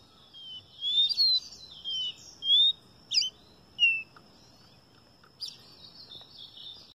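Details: Caboclinho singing: a series of thin, high whistled notes, some slurred and falling, others short and sharp, spaced irregularly over about five seconds against a faint steady background hiss.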